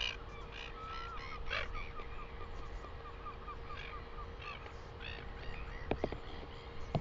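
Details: Northern royal albatross, New Zealand, 12 August 2020: a series of honking, harmonic call notes repeated irregularly, with a few sharp clicks near the end, over constant wind roar and a steady background hum.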